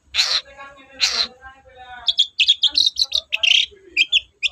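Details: Long-tailed shrike in full, energetic song used as a lure to provoke sluggish shrikes: two loud harsh rasping bursts, then a quick run of varied high chirps and short whistled notes.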